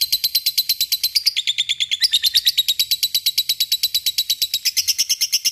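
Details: Lovebird, a fighter bird, in a long ngekek chatter: rapid, regular harsh pulses, about eight a second, dipping in pitch early, then gradually rising again in the final second.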